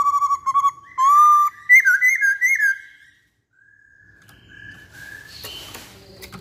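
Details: Masked laughingthrush, called poksay Hongkong, gives clear whistled notes in quick repeated pulses, then looping two-tone phrases rising and falling, a silent pause and softer sustained whistles with light background clatter.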